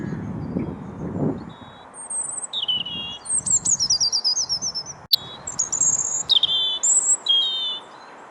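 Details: European robin singing in a tree on the old castle mound at Bailey Hill, Mold, Wales, 27 February 2022; a run of high, thin, varied warbled phrases and trills separated by short pauses, with one sharp click.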